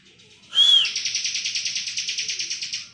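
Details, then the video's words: Bar-winged prinia in ngebren song: one clear rising-and-falling whistled note followed at once by a fast, evenly pulsed, buzzy high trill that runs to the end. "ciblek kristal gacor full ngebren"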